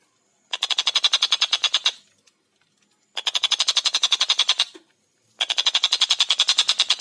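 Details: A collared kingfisher, called tengkek buto, calls busily in a clear, fast series: three bursts of rapid, harsh, evenly spaced notes, each lasting over a second, with quiet pauses between.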